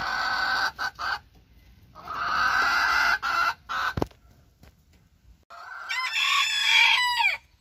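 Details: Booted bantam hen in a kitchen garden uttering harsh, noisy squawks in bursts, a sharp knock in between, then a clearer series of short tonal notes that dip down at the end.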